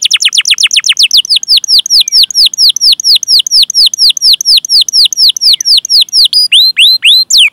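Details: Canary master song, long cuit-cuit rolling, used to coax young or non-singing canaries: very fast chirps open into a steady, evenly paced series of high downward-sweeping notes, about four per second, ending in looser whistled slurs.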